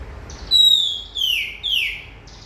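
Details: Oriental magpie-robin giving three clear whistled phrases in quick succession, each sliding downward, with a faint higher note before and after.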